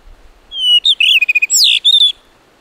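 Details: Wild blue rock thrush singing on the rocky coast of Muroto in Kochi, Japan: one clear, loud phrase opening with a sustained whistle, then quick warbled notes, a rising and falling slur and a level closing whistle.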